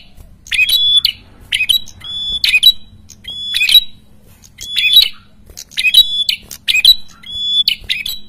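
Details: Chattering Prenjak kepala merah in full song: short, loud bursts of high chattering notes, several with a clear whistled note, repeated roughly once a second over faint background hum.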